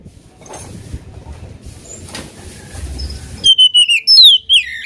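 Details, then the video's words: After a few seconds of low background hum, an oriental magpie-robin bursts into loud song to provoke a rival, with a sharp whistle sliding down followed by quick, clipped notes. "KACER GACOR BIKIN EMOSI LAWAN,PANCINGAN KACER EMOSI BIAR NGOBRA"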